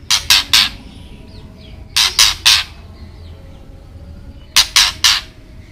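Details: Songbird master recording meant to prompt oriental magpie-robins to sing: loud harsh bursts in groups of three, the groups spaced about two seconds apart, over a faint low hum.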